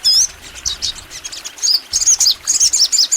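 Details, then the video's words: Lively crimson sunbird song: a high, wavering opening note followed by a rapid string of sharp, slurred twittering notes rising and falling, almost continuous for three seconds. "MASTERAN SOGON FULL NEMBAK! Suara Sogon Gacor Panjang"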